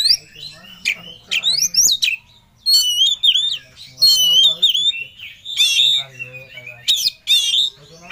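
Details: Caged Oriental magpie-robin singing intensely, described as seeking a rival; long loud slurred whistles and buzzy warbles with sharp upward notes, phrases of about half a second to a second, a faint low hum beneath.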